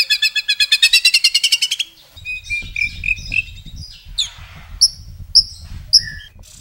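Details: Long-burst murai (white-rumped shama) song: a fast loud rattling trill of about fifteen notes, then scattered whistles, buzzy phrases and three sharp high piercing notes spaced about half a second apart, with low background rumble.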